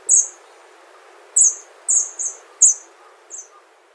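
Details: Wild Hawfinch in Japan uttering brief, very high, clipped calls at irregular intervals, about six notes in four seconds, some in close pairs, over a low steady outdoor hiss.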